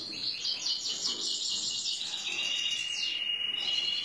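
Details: Excited male European goldfinch, ready to pair with a female canary, sings a continuous high twittering song of rapid buzzy trills and tinkling notes with little pause, including a sustained rising-and-falling whistled strand near the end.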